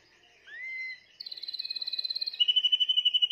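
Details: Song of a Timbrado canary from a 2020 bird: a rising whistled note, then a steady rapid metallic trill that drops to a lower, louder pulsing roll.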